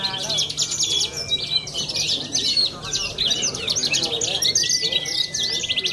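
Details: A young champion contest Australasian bushlark from Cilacap pours out a fast, unbroken jumble of high chattering and mimicked phrases, with long thin whistles from other birds behind it.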